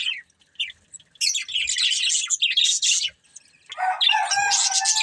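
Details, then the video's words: Two budgerigars in a breeding pair, feeding: a couple of soft chirps, then a burst of raspy high chatter, a pause, and a harmonic, slightly nasal warble to the end. "Beautiful Budgies Chirping Sounds"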